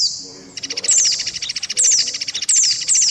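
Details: Trapping lure of Indian white-eye mixed with mantenan and pelatuk beras: a sustained high whistle, then a pulsing buzzy rattle with thin descending chirps slicing through every half second or so.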